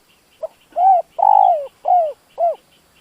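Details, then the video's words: Spotted dove used as a decoy to draw in wild doves, giving a cooing phrase: a short soft opening note, then four strong, rounded coos that dip in pitch, roughly two per second, with no other sounds. "Tiếng chim cu gáy dùng kích bổi lâu nổi"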